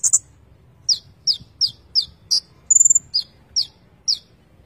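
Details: Konin, the Van Hasselt's sunbird, singing gacor isian: evenly spaced, very high downslurred chips, about two per second, broken once by a thin rapid trill.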